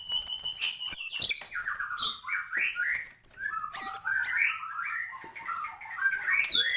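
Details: Full, energetic song of a white-rumped shama: continuous tumbling phrases of slurred whistles, squeaky chatters and harsh notes, with sharp high sweeps throughout.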